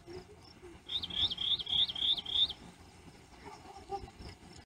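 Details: Wild Rock Wren seen on May 29, 2016 at the Royal Gorge outside Canon City, Colorado, singing a phrase of five identical clear, slightly buzzy upslurred notes repeated quickly, over low rumbling background noise with a few faint softer notes.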